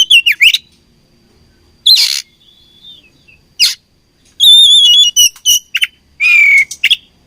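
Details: Fighting oriental magpie-robin: short bursts of whistled and rasping notes separated by pauses, including a sustained clear whistle and a descending harsh buzz near the end, against near silence.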